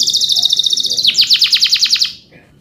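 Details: Male canary rolling song: a fast buzzy high trill for one second, then about ten quick descending sweeps before stopping, followed by quiet background.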